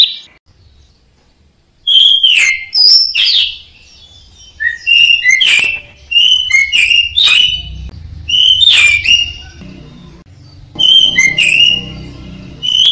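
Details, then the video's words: Orange-headed thrush kept as a cage bird, its song used for training other songbirds; varied short whistled phrases and chips come in irregular bursts over a faint low hum. "suara burung anis merah | gacor | masteran"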